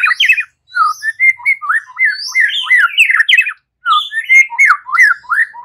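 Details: White-rumped shama fighting song: loud varied phrases of falling whistles, slurred notes and high squeaks, broken by two short pauses.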